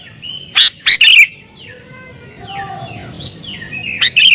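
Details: Excited sooty-headed bulbul song for luring wild bulbuls: two or three loud chattering bursts in quick succession, then soft sliding whistles and a final brief burst.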